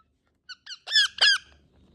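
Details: Indian ringneck parakeet giving natural calls: two short, soft squawks, then two louder, longer, harsh ringing cries in quick succession, all within about a second, followed by a faint low hum.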